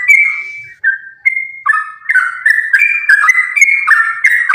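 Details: Sooty-headed bulbul in energetic fighting song, used as a lure to trigger other bulbuls: a few long clear whistles spaced apart, building into a fast continuous stream of warbled, stepping phrases.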